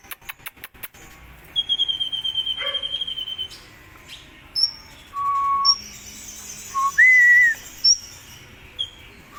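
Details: Indonesian kolibri ninja singing in lively contest form: a long buzzy trill of rapid pulses, then scattered clear whistles, some high and thin, others lower and sliding down.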